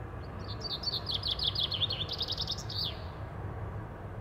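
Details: A common chaffinch (Fringilla coelebs), seen cleaning and singing, gives a bright, rapid run of repeated high notes about two and a half seconds long, ending in a quick downward flourish, over a low background rumble.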